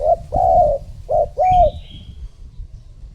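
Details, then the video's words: Spotted dove decoy calling wild doves with a rhythmic series of four low, rounded coos, paired short-long, short-long, plus a faint thin high whistle from another bird. "Cu gáy mồi thúc gù gọi bổi / Suara Burung Tekukur Gacor Terbaru 2026 Paling Ampuh Untuk Pancingan"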